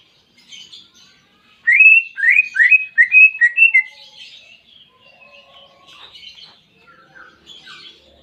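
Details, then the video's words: Caged greater green leafbird song with canary-style imitation: a rapid burst of bright rising-falling whistled notes around 1.7–3 seconds, followed by softer scattered twittering phrases and faint distant chirps. "Masteran Cucak Ijo Isian Kenari Jernih"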